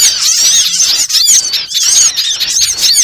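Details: Small birds in a trapping lure recording, a thick chorus of piercing chirps and quick looping whistles, with a slight lull around the first second.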